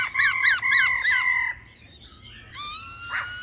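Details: Female laughingthrush 'ro ro' sounds aimed at firing up males: four harsh, looping, overtone-rich notes in quick succession, a quiet gap, then a long steady high-pitched tone.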